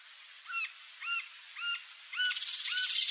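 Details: Green-barred woodpecker (Colaptes melanochloros) foraging on ants: short, harmonic, slightly arched notes about every half second, followed by a burst of rapid, noisy chatter.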